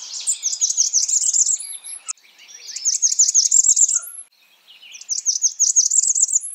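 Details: A calling Blackburnian warbler repeats three near-identical bursts of very high, fast, thin notes, about one every two seconds, each closing with a short high upslurred note.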